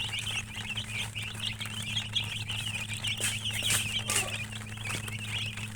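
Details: Chicken chirps pour out continuously as bright, quavering peeps. A few sharper clicks or knocks cut through near the end, and a steady low hum runs underneath.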